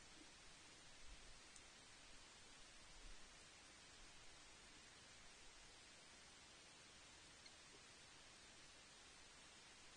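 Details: Steady hiss of static with a few soft low thumps and no animal voice anywhere.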